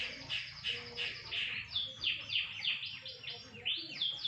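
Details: Canary in the sun repeats high descending chirps about three per second, each a quick downward slur, with faint low noise behind.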